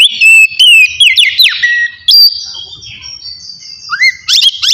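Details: Oriental magpie-robin singing ngeplong for early therapy aimed at emotion and breeding drive: a few loud whistled and downslurred notes, a quiet stretch with faint sounds, then sharp rising whistles at the end.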